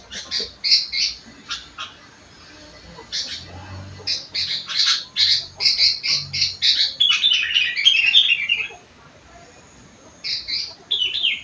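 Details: Kutilang, the sooty-headed bulbul, with rengganis and cucak wilis isian: a run of harsh, squawky chattering bursts about three per second, then a rippling warbled phrase, a pause and two more short notes; faint low hum underneath.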